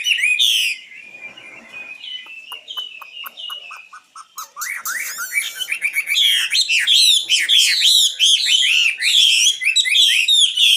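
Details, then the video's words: Common nightingale opening with a loud whistle, then soft level notes and a rising series of clicks that speed up into a rich, rapid warble of hooked high notes. "Best singing nightingale"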